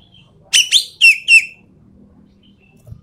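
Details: Endemic Sumatran treepie in recorded tutor and lure material: four loud, harsh, buzzy notes in quick succession with strong overtones, each sliding slightly downward, followed by near silence.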